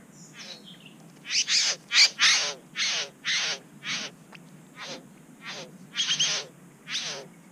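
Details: Satin bowerbird at its bower in NSW, Australia, with other birds present, gives a run of about a dozen harsh, buzzy, rasping notes over seven seconds, with a thin high whistle at the start.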